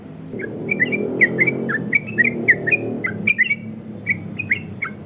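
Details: Yellow-vented bulbul giving its 'ropel' variation song, sung to lure and train other bulbuls. Spaced, fluty whistled notes in short pairs and triplets over a steady low hum, thinning out after three seconds.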